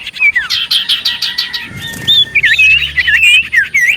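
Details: Common iora in lively song, played to provoke other ioras into replying: fast varied chirps and buzzy bursts followed by looping, wavering whistled phrases.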